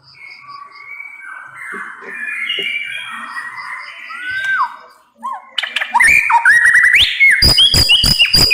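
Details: White-rumped shama singing 'nembak pedes' style for use as a lure for other shamas: soft, rambling whistled warbles for five seconds, a brief break, then loud rapid bursts of sharp clicks and rising whistled phrases.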